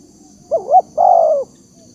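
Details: Spotted dove as a trapping lure: a rising-and-falling wavering double coo followed straight away by a long, buzzy-edged hoot that slowly dips, over faint low noise.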